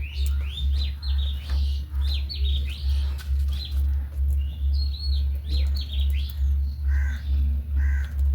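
Budgerigars chatter in quick, scratchy chirps over a steady, throbbing low hum.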